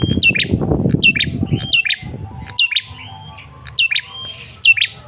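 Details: Lure call of a male Ashy Tailorbird for provoking replies. Repeated sharp, falling whistles with short trailing chips. A low rumbling knock and handling noise cover the first two seconds.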